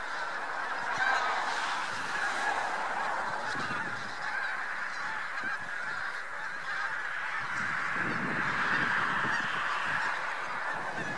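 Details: Huge migrating flock of Bean Geese with a few White-fronted Geese, Lubiń near Trzemeszno, Poland, early March 2018: a rapid, dense babble of honks swelling and fading throughout, with faint low rumbling.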